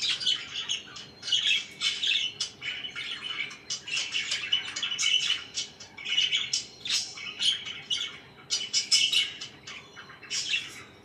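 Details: Pet budgerigars chirping in the morning: a dense, continuous chatter of short scratchy chirps and warbled notes, rising and falling in loudness, with faint low room hum beneath.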